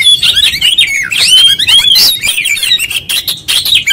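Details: Oriental magpie-robin in full 'konslet' song: shrill, jumbled whistles and buzzy chatter delivered almost continuously at high pitch.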